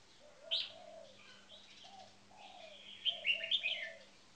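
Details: Caged red-whiskered bulbuls, one a competition marathon singer and one on its first day in a cage, giving bright warbled phrases with a few loud high notes, over soft lower whistled notes and a faint steady hum.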